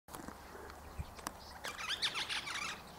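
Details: Eastern rosella (Platycercus eximius), seeking ripe wild African boxthorn berries, gives a quick run of sharp, high chattering notes after a few dry clicks and rustles.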